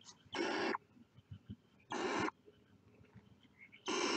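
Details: Barn owl chicks at the nest, poking their heads out, give three harsh, breathy hissing bursts, each under half a second, spaced about 1.5 seconds apart, with faint soft chirps and quiet background noise between them.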